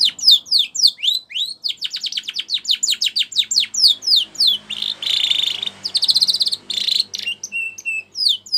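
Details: Canary singing a training song, a rapid run of sharp downslurred chips that gives way to buzzy rolling trills and short level whistles.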